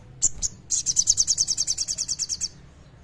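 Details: Lively, clear song of a common iora, used as a lure to stir birds that sing little: two separate high chirps, then a rapid, rhythmic string of about fifteen shrill notes that stops abruptly.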